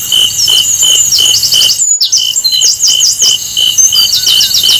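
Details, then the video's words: Asian brown flycatcher singing to prompt other birds to sing; quick high-pitched trilled chirps and short zigzag phrases repeat about every second over steady whining high tones, with a brief break midway. "SUARA BURUNG SIKATAN LONDO ,MEMANCING SEMUA BURUNG GACOR"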